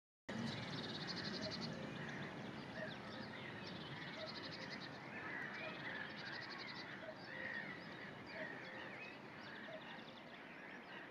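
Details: A Common Sandpiper at Schafwaschener Bucht gives thin, high, rapid trills in short bursts every few seconds over steady rushing water or wind noise.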